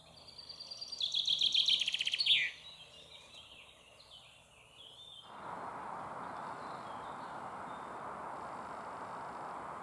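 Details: Close-range common chaffinch on a large rock about ten metres away, singing after drinking and while eating: a single crisp trilled phrase building in speed and ending in a downward flourish, followed by steady rushing background noise.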